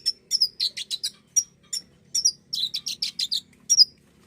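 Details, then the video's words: Common iora, recording played to prompt caged birds to sing: bursts of sharp, high chirps repeated in quick runs, some slurred and ringing, with short pauses between groups and a faint low hum behind. "pancingan bunyi burung konin!"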